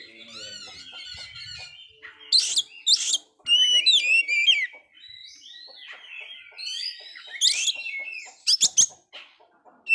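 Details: Oriental magpie-robin that failed its moult, singing very actively, used to rouse a dispirited magpie-robin: rich whistled phrases with slurred upward notes, loud harsh buzzy bursts near two, three and eight seconds, short pauses between.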